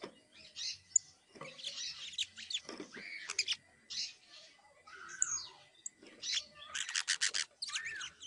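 A young canary babbles a rambling, unstructured song of scratchy notes, thin whistles and short rapid buzzy trills at high pitch, with uneven pauses.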